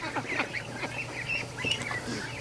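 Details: Free-range ducks in their Sunday morning rush, a flock vocalising: many short, raspy quacks and higher squeaky notes tumbling over one another, with a faint low hum beneath.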